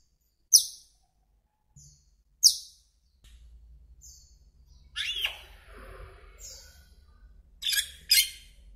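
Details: Asian glossy starling (Aplonis panayensis), an introduced species in Taiwan, giving sharp, high, downslurred whistled calls, single notes a couple of seconds apart, then harsher bursts, over a low background rumble.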